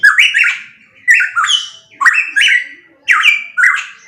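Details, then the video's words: Loud pitohui: harsh, squawky paired notes, each jumping upward then sliding down with a buzzy edge, repeated about once a second in a clean recording with no other sounds. "Masteran Burung Pitohui MP3 _Suara Kenceng"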